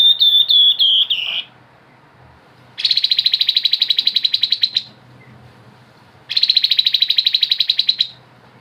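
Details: Grey-headed babbler singing in lively 'ngebren' and 'nyiul' styles. A short run of clear, slurred whistles is followed by two separate bursts of fast, buzzy trilling, each about two seconds long and very evenly pulsed.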